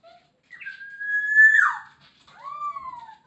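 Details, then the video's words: Poksay Hongkong, the Masked laughingthrush, singing a long clear whistle that rises slightly and ends in a rough slur. After a brief pause comes a second smooth whistle that rises, then falls. "Poksay Hongkong gacor full isian"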